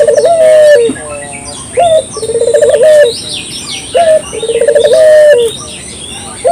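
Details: Local dove cooing used as a lure for morning, midday and night: a rolling, pulsed trill running into a long steady coo, repeated about every two seconds, with high chirps from other birds behind.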